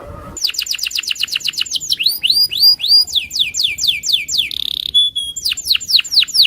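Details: Loper canary in an aggressive mood, singing to provoke a rival into answering: long runs of rapid falling notes, then rising upswept phrases and a brief harsh buzz, with a clear sustained whistle.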